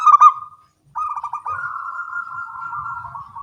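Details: Local zebra dove cooing in the morning, a burst of soft rapid notes near one pitch followed by a long steady trilled coo lasting about two seconds.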